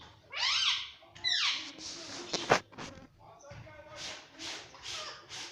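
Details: Pet parrot giving loud harsh rising-and-falling squawks in the first two seconds, then softer chattering and squeaky sounds, with a sharp click and human voices mixed in.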